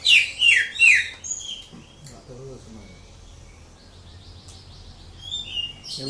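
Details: Greater green leafbird from Indonesia in a steady flow of song: bright, high warbled notes sliding down in quick phrases at the start, then softer thin whistles and trills, with low background noise.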